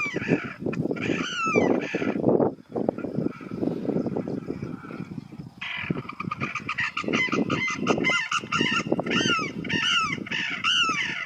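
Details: Sarus cranes in India, a non-migratory species that breeds near paddy fields and reservoirs, trumpet in loud, brassy, overlapping bursts, harsh honking notes tumbling almost continuously, with a low rumble of background noise.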